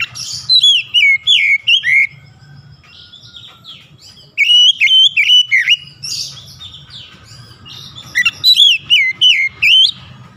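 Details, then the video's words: Oriental magpie-robin (kacer) singing a sharp, clear song meant to stir lazy birds into singing; bursts of loud, looping whistled phrases between about 2 and 4k, repeated in three series separated by quieter gaps, with a faint low hum beneath. "KICAUAN SUARA TAJAM JERNIH PEMULIH AMPUH KACER MALAS BUNYI LANGSUNG GACOR"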